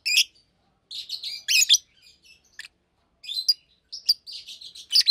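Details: Pair of adult Fischer's lovebirds, blue and pastel green, singing during the day; sharp piercing chirps alternate with softer buzzy twitters and brief silences.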